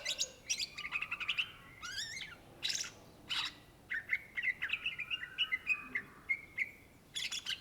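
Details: Greater green leafbird (cucak ijo) in full song: fast chattering bursts, rising and falling trills and clipped whistles packed closely together, with a quick sequence of bright notes near the end.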